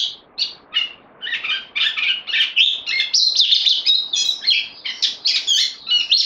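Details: Newly loaned caged Puteh Dagger bulbul, 12 September 2020, delivering a busy, varied run of chattering and whistled notes that climb and shift in pitch, tightly packed several per second with only brief breaks.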